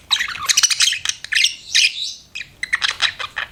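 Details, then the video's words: Budgie chirping rapidly: a busy, harsh warble of overlapping tweets and squawks, one brief lull, then another scratchy burst. "BUDGIE CHIRPING SOUNDS"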